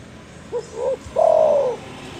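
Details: Spotted dove giving a loud call said to anger rivals: two brief rising notes then a long sliding coo, over a steady background hiss.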